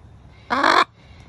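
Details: Macaw playing and performing acrobatics, giving a single loud, harsh, raspy squawk of about a third of a second with a stacked, buzzy tone, in otherwise quiet surroundings.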